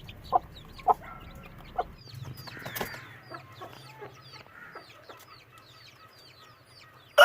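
Budgerigar chicks give a steady stream of thin, scratchy chirps and peeps with a few sharp clicks.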